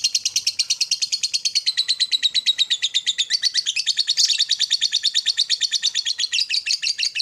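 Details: Lovebird long chatter played as a morning trainer to spur other lovebirds; a rapid rattle of high, scratchy notes runs nonstop for seven seconds, at about three notes a second, wavering slightly in pitch.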